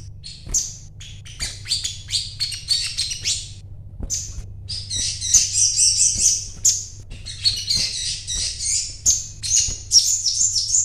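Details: Purchased crimson sunbird, called sogon, singing 'gacor': strings of very high, sharp chirps in quick bursts, a short gap, then denser rapid twittering phrases, with a constant low hum behind.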